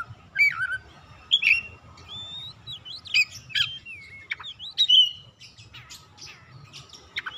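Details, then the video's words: White-rumped shama singing to provoke other birds into song, a varied run of rising and falling whistles, quick slurred notes and scratchy chirps in irregular bursts, with soft low rumble behind. "KICAUAN MEMANGGIL DAN PERANGSANG BUNYI | Kacer macet bunyi langsung on gacor"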